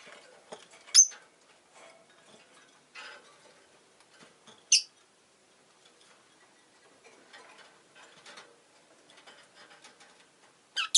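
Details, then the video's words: Two rosy-faced lovebirds kept indoors, huddled at the entrance, give a few brief, piercing chirps amid steady scratching and shuffling. "Lovebird Chirping Sounds"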